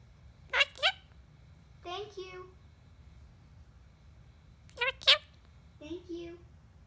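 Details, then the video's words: Pet bird imitating the words "thank you", four short harmonic utterances in two pairs, the second of each pair lower and drawn out, quiet indoor background. "My stupid bird saying thank you"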